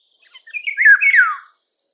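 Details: Eurasian golden oriole singing one short, rich fluting phrase of slurred whistles that sweep downward, clear and mellow, with a few faint twitters before it.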